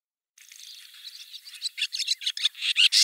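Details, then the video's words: Barn swallow, a bird of Siberia, singing a quiet twitter that builds into louder, rapid chirping notes toward the end. "Деревенская ласточка. Голос ласточки."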